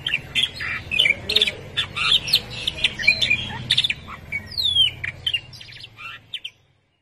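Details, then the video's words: Caged canary singing after a long time without seeing its companion, a busy jumble of high chirps, trills and twittering notes with a few rising and falling whistles, ending abruptly; low background hum throughout. "el efecto del canario por mucho tiempo sin ver a su amigo hasta que se olvidó de su voz"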